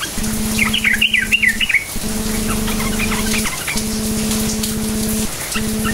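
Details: Yellow-vented bulbul lure song for prompting other bulbuls: one tumbling, warbled phrase of quick rising and falling notes near the start, then fainter scattered chirps, with a persistent humming background.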